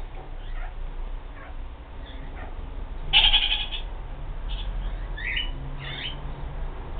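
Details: Kakariki calls: faint scattered squeaks, then a single loud harsh squawk about midway, followed by a few quick chattering notes with some upward inflection, over constant low-pitched background noise.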